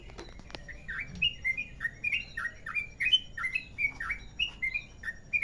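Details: Yellow-vented bulbul from Merapi in a long rolling ropel panjang song style, prepared as a lure recording: a steady stream of clear, bubbly whistled notes, several per second, alternating rising and falling, with a faint low background hum.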